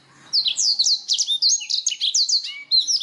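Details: Canary singing as a therapy recording for other songbirds: a lively string of quick, high descending whistled notes, each strongly slurred, ending in a couple of longer clear tones.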